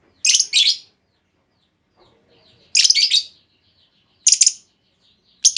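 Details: Female lovebird giving a lure call meant to draw a long trilling reply from other lovebirds: three bursts of harsh, scratchy high chirps, each a quick double or single note, separated by about a second and a half of quiet.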